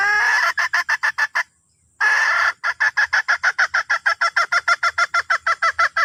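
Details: Calling red junglefowl hen, summoning the rooster. Rapid clucking notes, a short silence, then a long harsh drawn note followed by a steady string of quick, evenly pitched clucks at about three per second.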